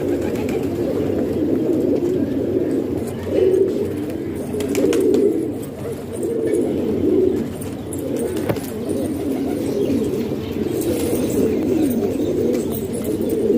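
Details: Several pigeons kept in a house in Pakistan coo together in a steady, low, murmuring chorus of overlapping rolling coos, with occasional soft clicks and rustling.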